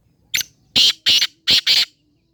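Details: Black francolin, locally kala teetar, calling: five loud, harsh, grating broadband notes. A short first note is followed by two close pairs of bursts, all within about one and a half seconds, against a quiet background.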